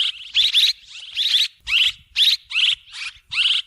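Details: Swiftlet calls used as a lure sound: about nine bright, twittering bursts in under four seconds, each a cluster of quick rising chirps, separated by short gaps, with a faint low thumping underneath.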